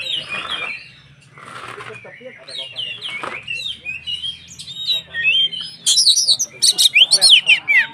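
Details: White-rumped shama song for provoking other shamas, starting with faint muffled sounds, then building into loud rapid whistles and sharp chattering notes in quick succession toward the end.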